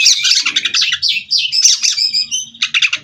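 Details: Kacer (Oriental magpie-robin) from a breeding farm, singing a non-stop 'ngerol' rolling song: rapid, pulsing buzzy notes repeated in quick bursts, a thin sustained whistle, then more churring chatter.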